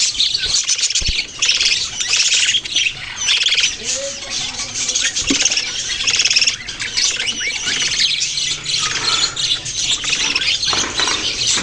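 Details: Long stretch of budgerigar chirping, with several birds chattering together in scratchy, warbled phrases and brief whistled squeaks.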